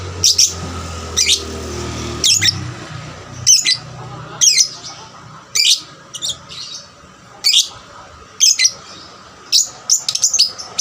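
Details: Young lovebird calling to spur other lovebirds into song; loud piercing chirps spaced roughly one per second, some in quick pairs, with a low hum early on.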